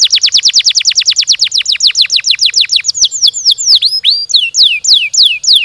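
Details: Canary gacor song used as a lure for other canaries: about three seconds of rapid sharp descending whistles, then slower curving, swooping whistled phrases.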